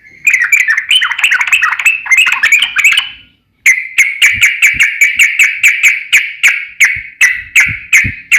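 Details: Lively varied song of a sooty-headed bulbul (trucukan): a dense, fast warbling tangle of bubbly notes, a brief silence, then a steady series of loud, sharp chirps repeated roughly three times per second.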